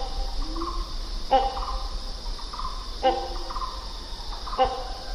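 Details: Great hornbill calling three times at roughly one-and-a-half-second intervals, each call a sudden harsh bark with short nasal honking tones trailing after it, set against continuous high-pitched insect buzzing and low rumble.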